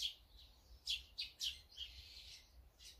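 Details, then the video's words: A mixed flock of azure-winged magpies, sparrows, great tits and brown-eared bulbuls while feeding: a quick run of three sharp high chirps followed by a thinner drawn-out twitter and a last chirp. "물까치,참새,박새,직박구리,먹방,새먹방, 새소리 힐링방송"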